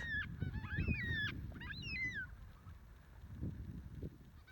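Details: A flock of Carnaby's black cockatoos, endemic to southwest Western Australia, calls over coastal heathland with overlapping, wavering, nasal wails in quick succession, over a steady low rumble of wind.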